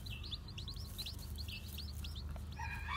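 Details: Newly hatched bantam chicks, white with black tails, wandering about; quick, faint, high peeps overlapping in a busy chorus, then a brief harsher, louder sound at the end over a low background hum.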